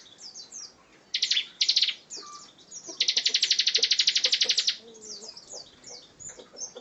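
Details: Bar-winged prinia singing 'gacor ngebren': two short buzzy bursts, then a sustained trill of about twenty rapid pulses lasting nearly two seconds, surrounded by high descending chirps.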